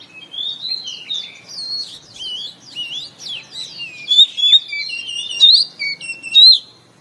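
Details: Oriental magpie-robin singing in the morning, a recording played to caged birds to spur them into song: a busy run of varied whistles and slurred notes, ending in louder clear rising whistles repeated about once a second.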